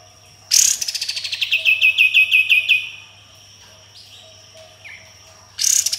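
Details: Sooty-headed bulbul in energetic song with full 'tembakan' shots and harsh 'besetan' phrases: a loud burst, then a rapid trill of about twelve sharp notes slurring downward, a short quiet gap, and another loud burst at the end.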